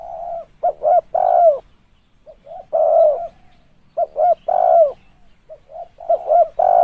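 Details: Spotted dove call for use as a decoy lure: low, husky coos in short phrases of two or three quick notes followed by a longer rolling coo, repeated several times with brief pauses, quiet background.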